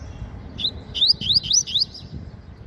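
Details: Double-collared seedeater kept in a cage, sunbathing in the morning, delivers a fast 'meio canto' run of about six clear, rising, slurred notes, evenly spaced and ringing, against light low background noise.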